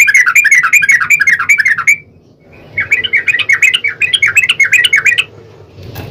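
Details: Fast 'ropel' singing of a Yellow-vented bulbul, meant as a lure so other bulbuls respond. Two long runs of quick bubbly chirps, each about two seconds, are separated by a brief quiet gap.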